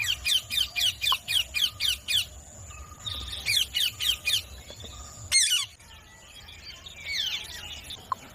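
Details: Green parrot, described as talking, giving a fast series of harsh, scratchy chattering notes, about four per second, then a pause and a louder burst of screechy notes with a faint background hum.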